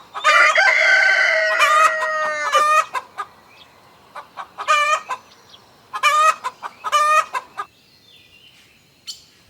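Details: A rooster crowing: one long, loud, sustained harmonic crow lasting over two seconds, followed by bursts of short, clucking notes.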